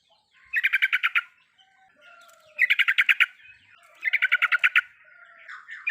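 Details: Yellow-vented bulbul (trucukan) lure song in full riwikan style to make a quiet bird sing: three bursts of quick, rhythmic chattering notes, each about half a second long, with soft twittering between.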